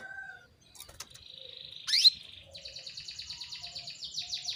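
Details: A female canary calling males to sing: a soft buzzing hum, then a loud rising squeak, followed by a quick steady run of high descending buzzy notes.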